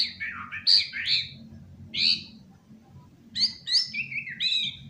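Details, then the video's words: White-rumped shama singing on a sofa rather than a hanging cage: loud rich warbled phrases with sweeping whistles, pausing between bursts, over a steady low background hum. "Murai Nge-play diSofa, Ogah gantang"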